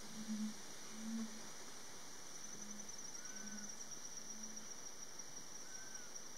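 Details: Red-ruffed Fruitcrows at a lek in the Yabotí Biosphere forest of Misiones, on a cold morning. At least nine males are seen calling together and inflating their throats. They give deep, hollow booming notes about once a second, with faint higher whistles and an insect hiss.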